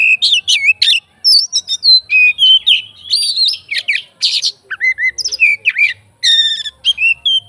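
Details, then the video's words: Oriental magpie-robin of fighter type, singing to provoke others of its kind: dense, continuous string of rich whistles, slurred upward and downward notes and rasping trills, hardly pausing over several seconds. "BUNYI BURUNG KACER FIGTER, FULL ISIAN KACER LAIN LANGSUNG ON"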